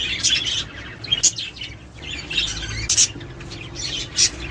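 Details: Budgerigar calls to stimulate mating and breeding: scattered twittering with a few sharp, high piercing chirps standing out, softer chatter between them, over a faint hum.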